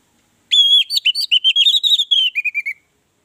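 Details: Song of an orange-headed thrush, played to coax other birds into singing: a clear whistled opening note followed by a rapid run of varied chirping, slurred notes, ending in lower descending whistles.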